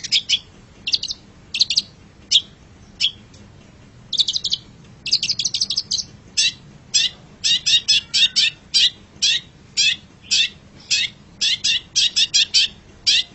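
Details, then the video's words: Chattering long-tailed shrike master song for training pet songbirds: rapid bursts of dry, scratchy notes, first in tight groups, then settling into a brisk, fairly even series of sharp calls. "MASTERAN GACOR - Suara Burung Cendet"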